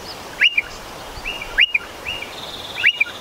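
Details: Striated pardalote at a nest in a stone wall beneath a shed, pair courting: three bright upswept notes, each ending in a brief level tail, spaced about a second apart, with a faint softer note between.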